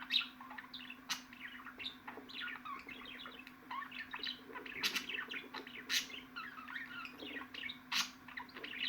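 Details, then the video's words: Busy budgerigar chatter: a stream of short squeaky chirps and rasping clicks tumbling over one another, loud bursts now and then, over a constant low hum. "MUHABBET KUŞU SESİ"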